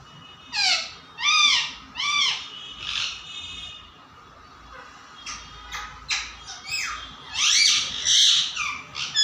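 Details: Parrot kept as a pet (tota) giving a series of loud arched calls in quick succession, a quieter pause, then scattered clipped notes and a final noisy burst of squawking.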